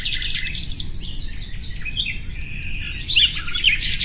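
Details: Common nightingale: a rapid high rattling trill opens, a quieter stretch of scattered soft notes follows, then a loud, bright burst of twittering phrases, against steady low background noise.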